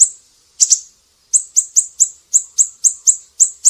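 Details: A siri-siri sings actively for songbird training. A quick double chirp, a pause, then a steady string of about ten sharp, high notes at a brisk, fairly even pace.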